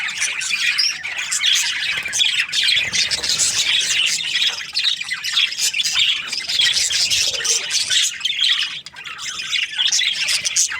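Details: A flock of Australian budgies in breeding season chatters happily, with continuous, high, busy twittering and scratchy squawks rising and falling in loudness, easing briefly near the end.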